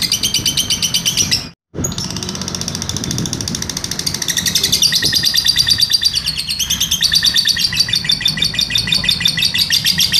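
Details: Lovebird giving a long trilled song, recorded as a master recording for training other birds: rapid high ringing trill of repeated notes, about three per second, continuing steadily for the whole stretch after a brief dropout near the start.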